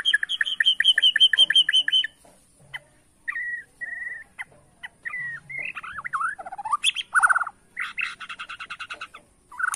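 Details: White-rumped shama of Borneo singing in bowing style to provoke rivals: fast repeated chopping notes for two seconds, then spaced whistles, twisting slurred phrases and a rapid buzzy trill.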